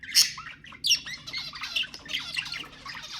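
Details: Budgerigars calling to stimulate mating: sharp squawks followed by steady rapid scratchy warbling and chirps from several birds.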